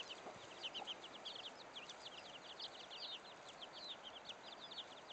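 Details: Chickens: a mother hen leading her baby chicks to look for food. Many chicks give thin, high cheeps in quick, overlapping bursts that run continuously through the clip over a steady background hiss.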